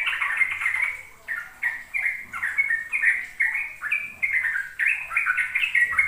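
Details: Sooty-headed bulbul singing in the ropel style, a lure for young bulbuls to learn from: bright, chattering whistled notes in short bursts separated by brief gaps, rising and falling in quick steps.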